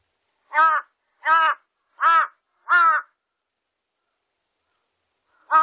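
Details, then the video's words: Hoarse caws of a large-billed crow, 2020 national biological archive recording: four evenly spaced harsh calls roughly every 0.7 seconds, a long silence, then another caw begins at the end. "큰부리까마귀, 여러번 듣기"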